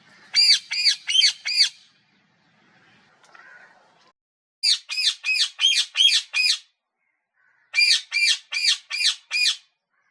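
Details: Parrot giving harsh, nasal squawks in three quick bursts of four to six notes each, separated by short pauses, with a faint soft noise during the first gap.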